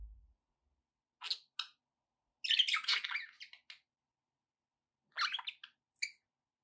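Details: Budgerigar chirps meant to encourage pet parrots to eat and sing: scattered short bursts of scratchy, buzzy chatter separated by silent gaps, with a longer warbled phrase in the middle.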